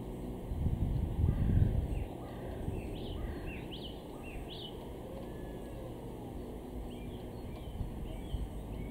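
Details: A male house sparrow in a garden in Weener, East Frisia, northwest Germany, in April 2023 gives short, bright chirps in loose, irregular runs over a steady low rumble of wind or distant traffic.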